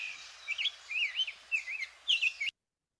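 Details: ['Rose-breasted Grosbeak song from a course on birds of old fields, shrubs and hedgerows: a short run of sweet, looping whistled notes delivered quickly and smoothly, lacking buzziness, over a faint background hiss.']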